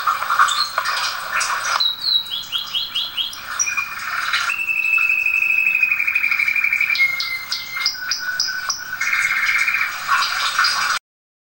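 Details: Domestic canary singing varied tours for teaching canaries: rapid chirps, a falling series of notes, a long steady rolling trill, then further short trills and chips, with a bright, high-pitched tone throughout.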